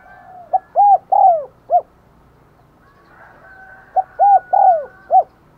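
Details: Spotted dove kept as a decoy bird, calling to attract wild doves. Two deep, mellow cooing phrases of four to five notes, short, then swelling and slurred, then clipped, separated by about two seconds of quiet.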